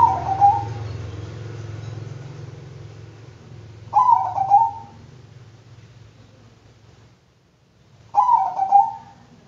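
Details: Zebra dove of the Bangkok type singing three rippling cooed phrases about four seconds apart. Each is a fast stuttering burst that settles into a short even note. A low droning hum fades out midway.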